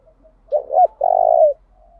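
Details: A single cooing phrase from a decoy spotted dove meant to stimulate wild doves: two short, swooping low notes leading into a long, even, buzzy coo that fades at the end.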